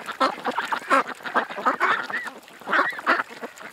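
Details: Ducks at a creek utter loud nasal quacks in short clumps, a few notes sliding upward, with brief quieter gaps between groups.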